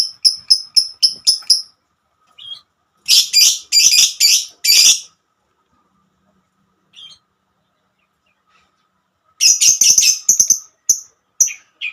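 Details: Long 'ngekek' song of a female lovebird calling to its companions: rapid bursts of piercing high chirps, then a dense harsh run, a long silent gap, and another fast chattering series.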